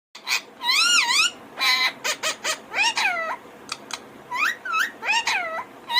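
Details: Indian ringneck parakeet talking: a string of clear, warbling, speech-like syllables with rising and falling whistled tones, broken by short sharp clicks and pauses.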